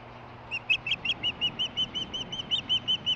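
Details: Female osprey calling close by but out of sight near her nest while getting a fish delivery, 23 July 2015; a quick run of about seventeen thin, high, whistled chirps, evenly repeated for nearly three seconds over faint low background rumble.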